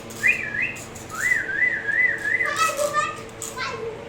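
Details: Moluccan cockatoo laughing: wavering, pulsed whistled notes in a rapid ha-ha-ha rhythm, several runs in a row, with a person talking in Hindi just before.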